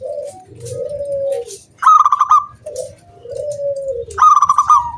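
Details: ["Zebra dove of local origin singing as a lure for other doves. Each phrase is a short low coo and a long falling coo, then a loud rippling higher 'kung' note, given twice."]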